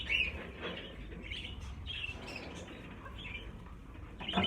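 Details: Budgerigars, about fifty birds being moved into a larger flight cage, giving short bright chirps and warbling chatter in overlapping bursts, with wing flapping and low background rumble.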